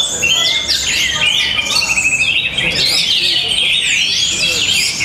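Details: Orange-headed thrush in Tabanan, Bali, singing powerfully: loud, varied whistled phrases with sweeping rising and falling slurs and a quick stuttering trill, set against other overlapping birdsong and a faint murmur of voices.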